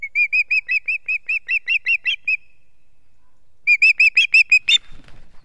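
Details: Osprey in Estonia on a foggy 2 September 2018: a rapid string of about a dozen clear, whistled chirps, a short pause, then a second faster burst of similar piping notes that ends abruptly.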